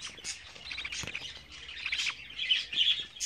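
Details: Loud, close chattering from 24-day-old budgerigar chicks: scratchy, warbling chirps and short squawks, growing louder toward the end.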